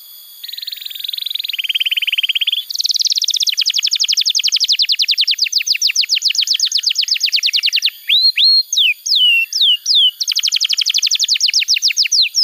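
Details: Tutor song of a canary for young birds: long flat trills shifting pitch, then a lengthy run of fast rhythmic chips, a few falling whistles, and another rapid trill.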